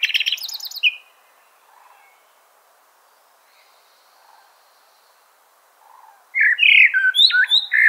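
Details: Common blackbird song. The tail of one phrase fades out, followed by a long quiet stretch with faint background sounds. A loud new phrase of whistles and sharp high notes then bursts in.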